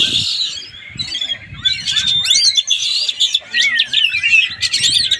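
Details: Oriental magpie-robin in Palembang pouring out fast, high, scratchy warbles, sharp whistles and steep rising sweeps in a continuous stream, with a low rumble of background noise.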